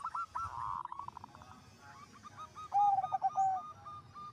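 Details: Zebra dove song said to spur other zebra doves into singing: murmured rolling coos from several birds, then a clear loud phrase of a low held whistle under quick purring notes, ending in spaced soft coos.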